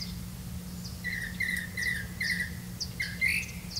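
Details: Grey-capped greenfinch gathering crickets for its chick; a string of short buzzy chirps, four quick ones then a louder pair, with scattered high ticks above a low droning hum.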